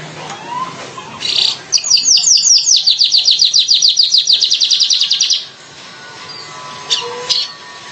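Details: A streaked weaver delivers a sustained, fast series of buzzy, high, wheezy notes lasting nearly four seconds, then a pause and a couple of faint scratchy notes.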